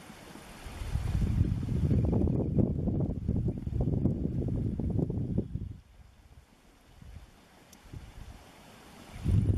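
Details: Gusty wind buffets the microphone in waves, loud for several seconds, then easing off before rising again, with no bird voice heard.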